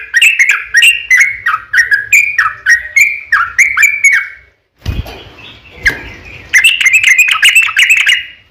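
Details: Yellow-vented bulbul in long, vigorous 'ropel panjang' song, used as a lure to make other birds answer: rapid chattering run of bubbly, dipping notes, a brief noisy break near the middle, then the fast bubbling resumes.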